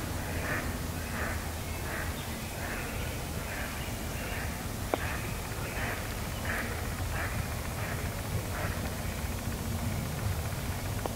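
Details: Duck, unseen and only heard, giving a steady series of short, hoarse quacks about every 0.7 seconds over a constant low rumble.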